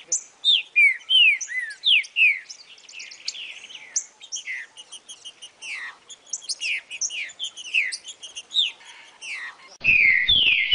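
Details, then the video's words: Green-winged saltator, song meant to warm up a captive bird: a long fast series of clear descending slurred whistles and chirps, ending after a cut with a loud wavering whistled phrase. "video para esquentar seu trinca ferro"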